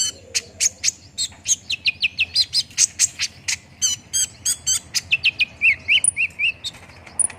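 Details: A fast series of high, clipped chirps from an olive-backed sunbird, played as a lure to get a bird singing quickly, with bursts of quick downslurred twitters and a few thin, very high squeaks.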